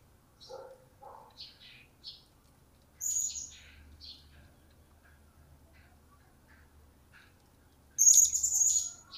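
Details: Captive blue-crowned hanging parrot, recently acquired, just starting to call: scattered soft chirps and twitters, then a sharp shrill high note, quiet chirping, and a final loud drawn-out piercing squeal; faint low hum in the background.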